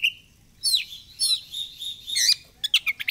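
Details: Lure recording of Oriental magpie-robin song meant to prompt tail fanning: a brief whistle, then bright harmonic chirps and warbled notes, ending in a quick burst of clipped repeated ticks.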